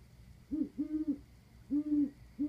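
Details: Owls on a roof, recorded 29 October 2014: low, hollow hoots in an uneven series of four, the middle two drawn out longer, over a faint steady hum.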